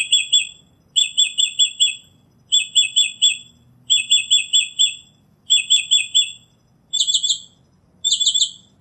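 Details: Seven short bursts from a northern mockingbird singing in nature, each a fast run of four or five similar notes, repeated at about one-second intervals, changing pattern near the end.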